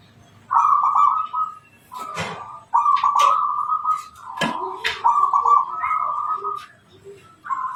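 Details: Local wild zebra dove in full, unbroken song, a recording suited to luring wild birds: long runs of trilled, purring cooing at a fairly steady pitch, broken by short pauses, with sharp knocks and clicks in between.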